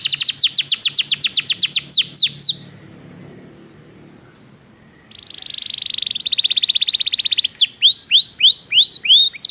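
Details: A Belgian canary's training song for canaries: fast descending notes in a rapid series, a pause of near quiet, then a rising buzzy trill and spaced curved whistles.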